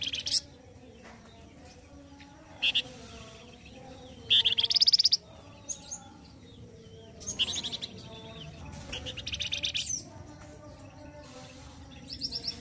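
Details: Flamboyan bird from Indonesia in loud, rough gacor song used as a master for training other birds: sharp high chirps and bursts of rapid buzzy notes, separated by pauses of one to two seconds, with low background hum.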